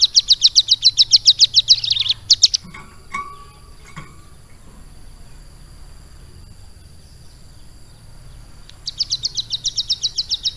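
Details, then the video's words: Caged ciblek gunung (prinia), kept about three months and trained to sing lovebird-style phrases: a rapid, high, buzzy trill of evenly spaced notes for two seconds, a quiet gap with a few faint lower chips, then the fast trill resumes. "CIBLEK GUNUNG GACOR ISIAN LOVE BIRD"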